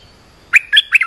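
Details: Olive-winged bulbul lure call for training young birds and attracting wild birds: after a short quiet start, three loud liquid warbled notes follow in quick succession.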